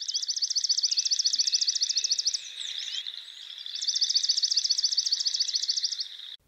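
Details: Swamp Sparrow, a bird of reeds and wet edges of rivers, creeks and lakes, gives two bright, even trills of rapidly repeated high notes, each about two seconds long, with softer chips from other birds between.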